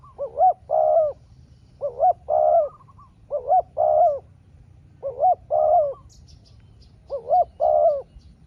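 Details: Spotted dove in a long vocal duel with a wild rival, the two trading calls in turn. Paired rounded coos repeat roughly every one to two seconds in steady bursts, with a faint high tick late on.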